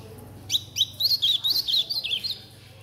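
A young chestnut-bellied seedeater sings a quick run of sweet, slurred high whistles, copying a blue-black grosbeak's song; a faint low hum sits underneath.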